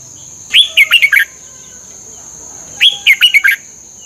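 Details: A red-whiskered bulbul, recorded for training caged birds, gives two matching phrases just over two seconds apart: a clear upslurred whistle, then a rapid run of four sweet falling notes, with a thin constant whine in the background.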